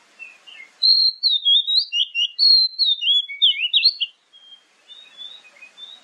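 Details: Lure song of an Oriental magpie-robin, meant for morning and evening play to draw replies from other birds: a run of loud, varied, rapidly repeated whistles with rising and falling slurs, then fading to softer distant notes.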